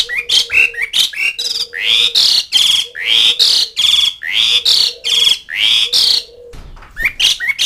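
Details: Jalak suren, the Asian pied starling, calls to friends and rivals in a dense, continuous stream of harsh, squawking and rising notes with a steady low tone running beneath.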